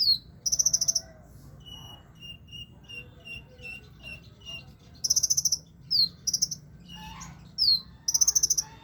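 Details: Caged sunbird kept low in its cage yet still singing steadily: high, fast buzzy trills alternate with evenly spaced thin whistled notes and sharp descending chips, repeated in bursts over a faint low background hum.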